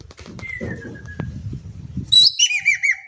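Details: Javan kingfisher from Indonesia, calling freely in a lure recording. After a stretch of low rustling and a thin whistle, a loud burst ends the clip: a sharp rising note, then a quick string of arched, harsh notes that fall in pitch.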